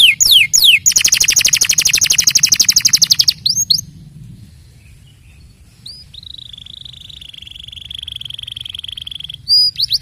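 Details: Canary singing: a fast, buzzy trill of very rapid repeated notes, a pause, then a long, steady, high sustained whistled note, ending with sharp chipping notes.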